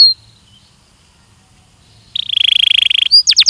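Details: After near silence, a Belgian canary from a training recording bursts into a fast buzzy roll of repeated notes, followed by a few loud falling whistles.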